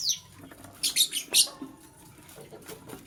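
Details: Morning lovebird chirping while green and blue birds jostle over vegetables: a burst of three or four harsh, shrill chirps close together, followed by softer faint ticks.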